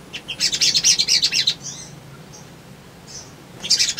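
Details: Energetic male little spiderhunter used as a lure to draw a response from rivals: a fast run of high, sharp chirps for about a second and a half, then scattered thin notes, then another quick burst.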